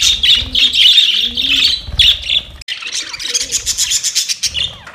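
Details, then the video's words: Several budgies chirping to one another in a dense, high, buzzy chatter, with warbled phrases and rapid clicking chirps, broken by a brief pause midway. "Budgies talking to each other"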